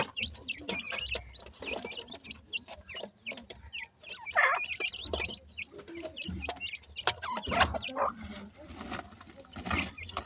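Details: Dakhni teetar chicks playing, giving thin curved chirps in quick irregular series over a bed of tapping, rustling and scratching noise.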